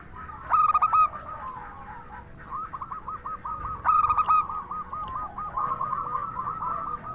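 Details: Zebra dove, local type, in energetic crystal-voiced song used for luring other doves; two loud phrases of rapid clipped notes about three seconds apart, amid a rolling chorus of quieter cooing doves.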